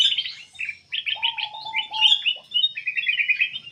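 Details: Black-capped bulbul singing busily, its song used as a lure to draw other birds into singing: bright chattering warbled phrases in rapid bursts, with a lower, steady whistled note running beneath them midway through.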